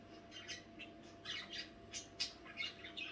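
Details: At night, budgerigars give a string of short, sharp squawky chirps, roughly two or three per second, over a quiet background hum.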